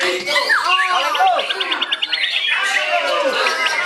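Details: White-rumped shama singing a rich, varied phrase of whistled, sliding notes, with a quick buzzy repeated trill in the middle and a background of murmuring voices.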